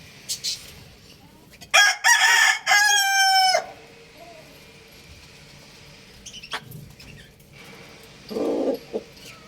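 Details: A young rooster, running about, gives one loud, hoarse crow lasting about two seconds, rich and breaking in the middle, with soft clucks and faint background noise around it.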